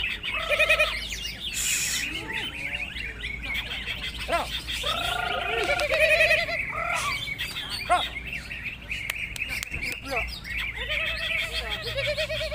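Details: Greater green leafbird competing in a singing contest, pouring out loud rich whistles, quick up-and-down slurs and scratchy chatter in continuous varied phrases, with surrounding contest birds and faint voices.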